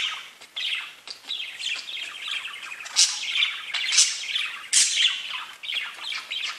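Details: Pet budgerigars chirping: a dense, continuous chatter of warbled twitters and squeaky notes, with louder sharp squawks rising out of the flow about once a second.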